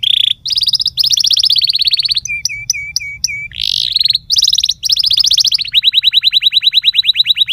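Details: Canary singing loudly and continuously: quick high rolling trills shift between pitches, then a short row of lower repeated notes, before the song ends in a long, fast, even trill. No other sounds stand out.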